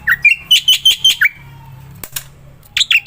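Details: Jalak putih, the Black-winged myna, singing gacor style to coax silent mynas into song: a quick string of loud, clipped whistles with a short hush, then another burst of sharp notes.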